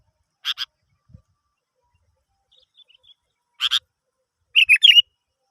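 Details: Sooty-headed bulbul song intended to prompt other birds to sing: a few sharp, dry buzzy notes in pairs, then a short liquid, bubbly warbled phrase near the end.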